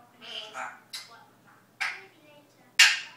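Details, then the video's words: A pet parrot learning to say Dutch greetings such as good morning gives four separate, raspy, speech-like bursts, the last one loudest and harshest. "Parrot Learning to talk dutch. Goodmoring, kisses, where were you, barking and whisteling"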